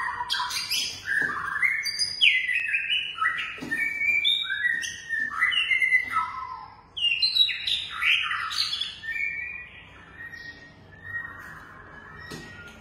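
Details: Long-tailed white-rumped shama from a captive-breeding collection singing a rich, rapid run of varied whistles and sweeping notes, phrases tumbling together at high and mid pitch, fading toward the end over a low background hum.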